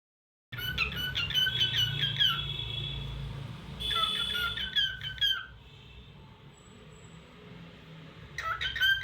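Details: Cockatiel calling indoors: bursts of rapid, repeated squeaky chirps with rising and falling harmonics, three separate runs, with quiet low room hum between them.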